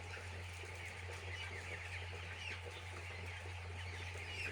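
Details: Many chicks peeping together at a poultry farm, with rapid, overlapping high-pitched cheeps forming an unbroken chatter and a constant low droning hum underneath.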